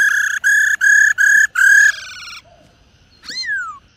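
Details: Female black-throated laughingthrush, recording meant to provoke singing in kept males: four loud, buzzy, level notes in quick rhythm, a fading rasp, then one falling whistled slur.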